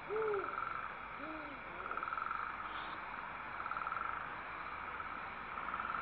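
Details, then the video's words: Owl father at a nest while the mother feeds the chicks, recorded 19 December 2012: two low, arched hoots in the first second and a half, then a background of regular pulsed trills repeating roughly every two seconds. "PPO feeds her Chicks; listen to them hiss and Pappa "hoo!""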